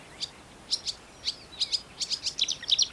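A Marsh warbler sings a rapid, high jumble of sharp chirps and buzzy notes, quickening toward the end, over quiet background hiss.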